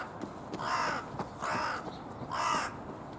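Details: A carrion crow with puffed-out chest gives three hoarse, husky caws spaced about a second apart. Its voice is rougher than that of a large-billed crow.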